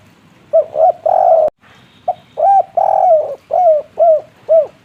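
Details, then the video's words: Spotted dove, local wild bird called tekukur, giving its kuk-3 style coo: hollow, rounded hooting notes in quick groups, short notes followed by a longer drawn coo, repeated in several bursts over faint background noise. "suara burung derkuku tekukur kuk3 asli suara jernih besar"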